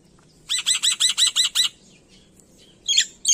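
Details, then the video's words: Black-winged myna, an Indonesian endemic, singing loudly in lively full-repertoire style: a fast run of seven sharp, bright chirps, evenly spaced, then a pause and a burst of harsher squeaky notes. "Suara Burung Jalak Putih Gacor Full Isian"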